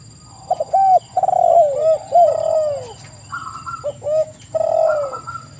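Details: Spotted doves calling in a lure meant to make other doves answer; chained, curved coos that rise then drop, some doubled by a higher voice, over low rumble.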